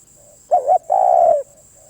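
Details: Loud spotted dove phrase, a rapid two-note coo then a sustained coo lasting about half a second, framed by faint background coos and a steady high whine.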